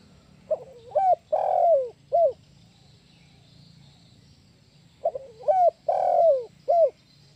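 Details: Lure call of a spotted dove for trapping birds: a short opening note followed by three rounded coos with a drawn-out middle note, the phrase repeated after a silent gap of about three seconds.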